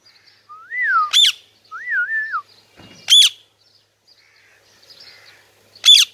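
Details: Parrot alternating wavering, up-and-down whistled phrases with loud, harsh squawks, about three squawks over several seconds, in an otherwise quiet setting.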